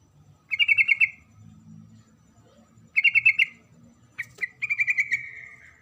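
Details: A female Sooty-headed bulbul repeats rapid, bright chattering phrases to call the male. Two similar bursts of about seven notes come roughly two seconds apart, followed by a longer, slightly falling run.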